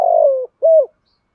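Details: A decoy spotted dove, praised for its good cooing voice, gives two low, soft coos: a longer, slightly throbbing note, then a short rounded one after a brief pause. No other sounds are heard.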